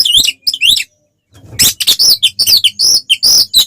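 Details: Oriental magpie-robin (kacer) in fighting-style song to provoke rivals: looping whistled notes, a brief pause, then dense rapid harsh, buzzy bursts.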